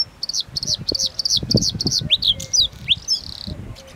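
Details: Bluethroat singing: bursts of sharp, high metallic notes repeated in quick series, each a rapid downslurred chip, then shifting to varied sweeping and rising whistles; low rumbling background noise.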